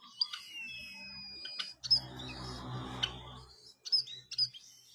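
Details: White-headed munia singing a long, thin, high whistle that slowly falls, followed by scattered sharp clicks and tiny squeaks, with a low rumbling noise in the middle.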